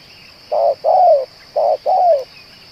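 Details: Cooing spotted dove, described as persistent enough to call for two hours and be used to lure others: two low double coos, short then longer and gently dropping, about a second apart, against a continuous high-pitched drone.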